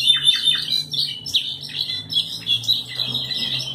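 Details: European goldfinch (pinto bird no. 2) singing a fast, tinkling run of high twittering notes mixed with short buzzy trills, flowing without a break over a faint low hum.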